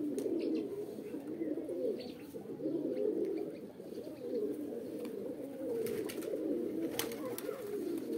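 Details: Pet pigeons, roller and homing types, cooing in a mating call: low bubbling coos in rounded, wavering phrases about every second or two, with occasional sharp clicks and knocks.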